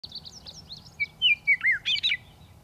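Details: Western meadowlark singing: clear, flute-like whistles sliding downward, then a quick gurgling burst of rich notes. Faint high twittering runs underneath, with a low background rumble.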